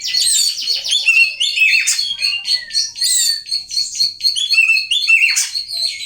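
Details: Oriental magpie-robin, a kept songbird, pouring out a dense, loud song of rapid high chirps, buzzy trills and slurred whistles, continuous throughout.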